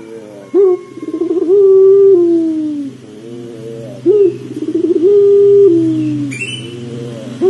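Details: Pelung dove cooing to prompt another dove into calling, with two phrases of a short opening note, a pulsing roll and a long level coo that falls away, over a steady low hum and a brief high scrape near the end.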